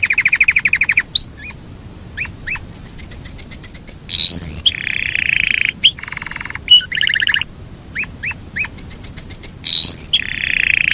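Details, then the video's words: Yorkshire canary in long rolling song with varied phrases: buzzy rolling trills, rapid high pips, and sharp rising whistles separated by brief pauses. "SUARA BURUNG KENARI YOKSHIRE NGEROL PANJANG"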